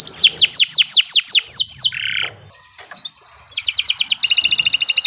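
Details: Sharp canary song used as a training master: about eight looping downward whistles, a short low buzzy roll, a brief pause, then a rapid high metallic trill.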